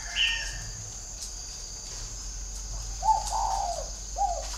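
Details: Decoy spotted dove with a whistle-like voice. A faint high chirp opens the recording. After a quiet gap come a longer soft coo that slurs downward and a short final coo.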